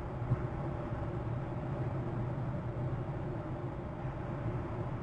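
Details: Steady low rumble of passing traffic or a train, with no animal calls heard.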